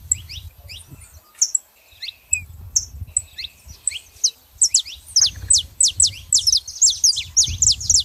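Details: A pair of saffron finches, female and male, calling in scattered high chirps, then a quick, rhythmic sequence of strong falling notes repeated roughly every third of a second, over low background rumble.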